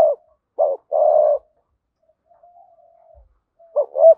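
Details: Spotted dove used as a decoy, hap boi urging coo for attracting wild doves: a short coo and a long buzzy coo, a faint drawn-out murmur, then a looping rising double note.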